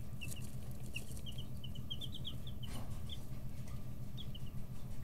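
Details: Chicks 11 to 13 days old in a brooder, growing wing and tail feathers, pecking and stretching: rapid short high peeps in quick irregular bursts, several overlapping, above a steady low electrical hum.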